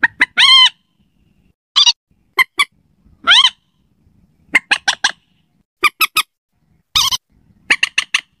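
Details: Night lure call of a slaty-breasted rail, with drawn-out nasal squawks falling in pitch alternating with bursts of clipped, sharp repeated notes and brief pauses.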